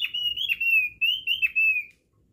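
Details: Javan grey-throated white-eye lure song: a continuous high, thin whistled trill with wavering, looping notes lasting about two seconds, then silence.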